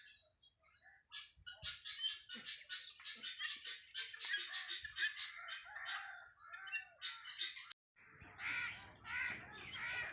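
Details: Flock of helmeted guineafowl on a free-range farm: dense, overlapping harsh chattering and rasping notes, continuous for several seconds, with a short gap before more scratchy calls resume.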